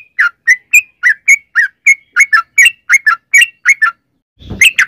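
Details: Yellow-vented bulbul singing as a lure for other birds: a steady string of clear, liquid whistled notes, then a brief silence and a loud chattering burst at the end.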